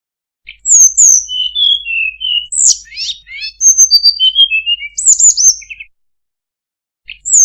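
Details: Flowerpecker sound used for luring birds: bursts of very high, sharp falling whistles and fast twittering chip notes in irregular phrases, a pause, then one more thin note at the end over faint low hum.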